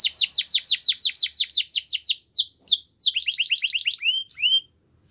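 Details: Canary training song: a steady run of bright downslurred notes about three a second, two longer swoops, a faster chattering series, then two rising chirps and silence.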